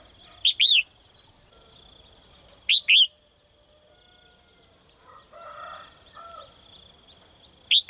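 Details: Morning calls of a female bird kept in a cage, aimed at attracting a strong male: paired chirps in repeated bursts a couple of seconds apart, with softer mid-pitched twitters and a steady high tone behind.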